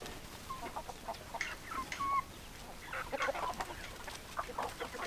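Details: Hens clucking in a flock: short, clipped clucks repeated irregularly, with a brief thin whistled note near the middle and a steady background hiss.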